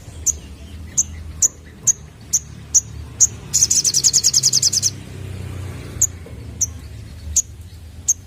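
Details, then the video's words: Sunbird song used as a lure for young birds: evenly spaced shrill high chips, a burst of rapid trilled notes in the middle lasting over a second, then the lone chips resume. "Burung Sogon Muda Bakalan Langsung Nyaut Denger Suara Pancingan ini"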